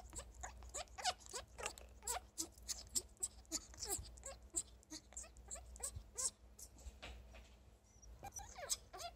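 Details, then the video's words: Female African grey parrot kept as a pet, calling when happy and wanting love: rapid series of short rising squeaky notes, roughly three per second, with brief pauses, low hum in the background. "African grey parrot Nikki makes this cute sound when she is happy and wants love"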